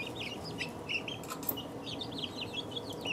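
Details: Young chicks, two weeks old, give clear high peeps, some long and slurred downward, several birds overlapping, with a couple of sharp clicks and a low hum behind.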